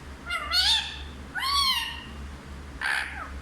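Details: Pet parrot known for talking in Hindi utters three separate harsh, harmonic, speech-like syllables, each arching up then down, about a second apart, with a faint low hum behind.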